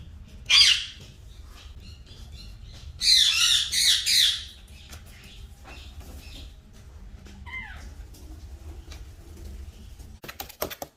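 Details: Green talking parrots giving harsh, raspy squawks: one short loud screech near the start, then a longer burst of three rough squawks in quick succession, followed by a faint downward chirp and some scattered clicks against a quiet background.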